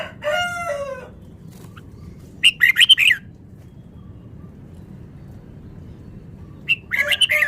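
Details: Red-whiskered bulbul, described as a Vietnamese cage bird, singing a fast rapid song: a falling whistled opening note, then two bursts of quick chattering phrases separated by several seconds of quiet.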